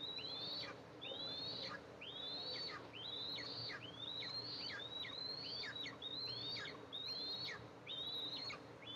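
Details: Eastern imperial eagles at a nest with two eaglets, nest camera, July 14, 2024, as the mother arrives to feed them: thin high whistles that rise then drop sharply, repeated about once per second over a low steady hum.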